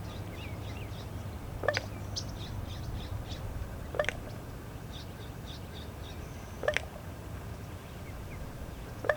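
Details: Male raven living in Southern California making a popping sound that seems to be a territorial call: sharp single pops roughly every two to three seconds, over a steady low hum with faint high chirps between.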